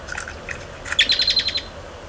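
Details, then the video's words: American goldfinch feeding on 30 July 2011, young begging while adults supply food; a fast run of thin high chittering notes after a few softer chirps. "American Goldfinch (Czyż złotawy) 30.07.2011. Karmienie"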